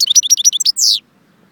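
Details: Brief goldfinch phrase from Jbel Wahch, Constantine: a half-second of quick bright twitters, then a single drawn-out buzzy note sliding downward, followed by silence.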